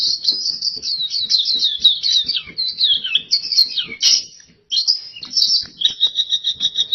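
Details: Energetic oriental white-eye song in gacor style, a fast stream of high, thin warbled notes and trills tumbling downward in runs, a short pause, then rhythmic repeated chirps, with soft clicks behind.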